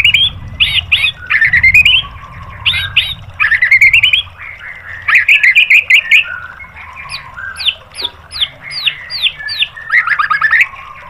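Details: Song of the white-rumped shama meant to train caged birds, with repeated harsh chattering bursts, rising buzzy trills, then a string of short whistles that dip and turn, about two per second.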